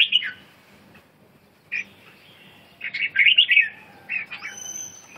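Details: Red-whiskered bulbul with a sharp opening note, a lone chirp, then a rich, rapid warbling phrase of clear whistles; a thin, steady high tone and faint hum continue in the background.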